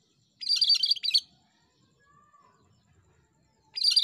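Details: Cream-striped bulbul giving gacor song, loud and persistent: a rich, fast, scratchy phrase of high chattering notes, a short faint whistle, near silence, then the next phrase beginning.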